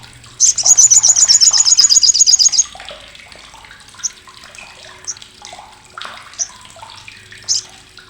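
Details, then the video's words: Olive-backed sunbird, known as Sriganti, giving its loud, harsh chatter used to tutor competition songbirds: a two-second series of rapid, piercing, high ticking notes, then scattered single sharp chips over a quiet background. "CRECETAN SOGOK ONTONG"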